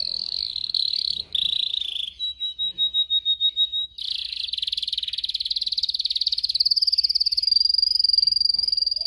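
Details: Canary singing, recorded for training canaries to sing: a rapid buzzy trill, then a pure steady whistled tone, then long fast rolling trills that climb slightly in pitch, each phrase held for several seconds.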